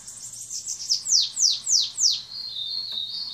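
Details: Ultramarine grosbeak delivering 'rabo torno batendo belga' song: a loud series of four or five sweeping downslurred whistles, about one every third of a second, then a steady thin high trill.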